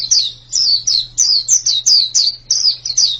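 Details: Song of a white-eye (pleci): shrill, clear downslurred chirps given in a rhythmic chain roughly three per second, loud and close, with a soft steady hum underneath.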